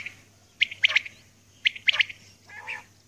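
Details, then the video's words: Female common quail calling in the early morning: short bright notes grouped in quick twos and threes, a pause between bursts, with a faint steady low hum underneath. "Batair Ki Awaz | Aj Suba ki Recording | Common Quail Calling | Female Quail Calling | Maadi Batair"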